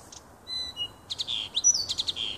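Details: A nightingale singing in a small wood near a house on 30 June 2015: a few pure, level whistles, then a rapid run of sharp, ringing notes, loud and clear over a quiet background.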